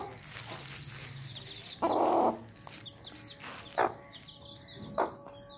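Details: Sussex mother hen guarding her chicks gives an angry call: one harsh, rasping burst lasting about half a second, then two short sharp clucks, while the chicks peep thinly and high in the background.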